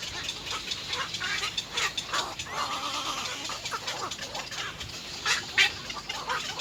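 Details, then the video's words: Three baby little egrets at the nest bite at their mother to be fed, uttering rasping, squawking calls in uneven bursts, with a brief drawn-out tone midway and sharper notes toward the end, amid background hiss. "little egr Three baby birds bite their mother to feed"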